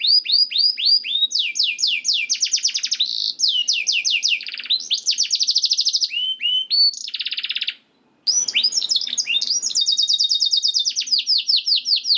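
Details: Training song of a canary, played to spur other canaries into singing: long unbroken runs of fast, bright trills and sweeping whistles, one short silent gap near the end, then the rolling phrases resume.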